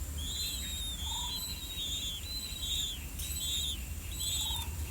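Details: Two older blue-winged pitta chicks in the nest calling while waiting for their parents to bring earthworms; a high, downslurred note repeated about once a second, with occasional lower short notes and a steady low background hum.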